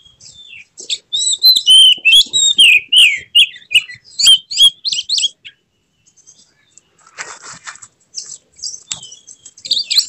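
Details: Excited white-rumped shama singing in emotional display with spread tail; a fast run of sweeping whistles and clicks for four seconds, then quieter scratchy, buzzy high notes after a brief gap.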